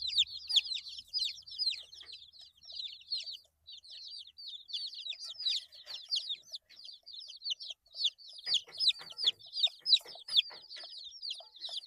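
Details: Eight-day-old baby chickens peeping together in a steady, busy chorus of high descending chirps, joined later by soft scratchy clicks and rustling in the background.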